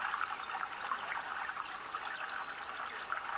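Collared bush robin giving thin, very high twittering notes that rise and fall almost without pause, over a steady rushing background hiss.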